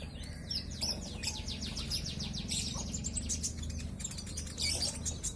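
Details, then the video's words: Sunbird with a brown breast singing vigorously, a rapid series of thin, high chirps and short descending sweeps over a steady low hum of background noise. "KICAU GACOR COLIBRI NINJA DADA COKLAT NGOBRA fULL ISIAN"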